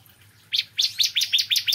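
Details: Bar-winged prinia (ciblek kristal) in the morning, giving a quick string of about seven high, clipped chirps at an even pace.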